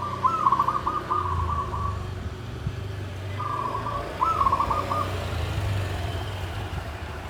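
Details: Bamboo-caged zebra dove giving klabang kapipit, tumpang sari song, rendered as klarr kete kuk kuk: a stuttering trilled coo at the start, then a second burst after a pause, over a low droning background.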